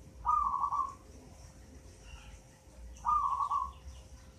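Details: Zebra dove, a local bird just eight months old that came from a nest in a mango tree, gives two brisk, rolling coo phrases nearly three seconds apart over a quiet background.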